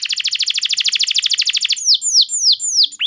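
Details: Canary singing in the gacor style with long 'nembak panjang' bursts, used as a lure song to prompt other canaries to sing; a fast, even, buzzy trill of about 20 rapid notes gives way to four high, descending whistled sweeps.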